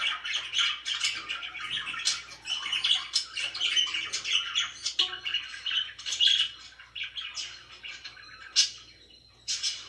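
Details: Indoor budgerigars chatter continuously, rasping warbled phrases and squawky chirps running almost without break, fading to quieter chatter toward the end before a final sharp burst; faint hum below.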